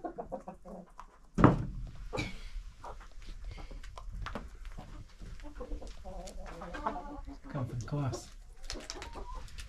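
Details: Roughly 25 domestic hens and roosters in a village chicken coop at feeding time; a loud thump early on, then scattered pecking and a series of short, tonal clucks in the later seconds.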